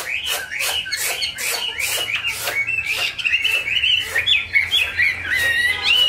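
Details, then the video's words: Chinese hwamei kept caged in Vietnam singing bursts of harsh, scratchy notes mixed with whistled slurs, building into clearer, higher warbled phrases, with loud snapping knocks throughout. "Họa mi"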